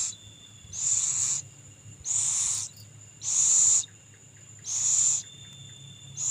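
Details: Owl young being fed by a parent: five harsh, broad hissing bursts, each about half a second long and repeated roughly every 1.3 seconds, over a steady thin high whine and low background hum.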